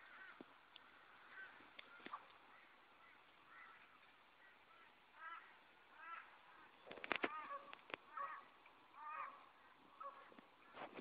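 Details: Young Australian magpies begging for food from a person on 20 June 2012, a male Satin Bowerbird flying past: repeated nasal, wavering begging calls in short bursts, several sharp clicks or taps around the middle, faint hiss throughout.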